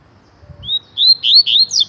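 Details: Tui tui song of a coleiro (Double-collared seedeater), used for song training: a rising thin whistle followed by three loud, slurred, warbling phrases climbing higher at the end.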